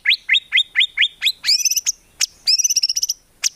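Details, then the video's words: White-rumped shama delivering gacor song with isian and tembakan and no ngukluk, used for songbird training: a row of evenly spaced rising chirps, then sharp high clicks and a quick bright trill. "MURAI BATU GACOR FULL ISIAN TEMBAKAN MEWAH GAK ADA NGUKLUK NYA"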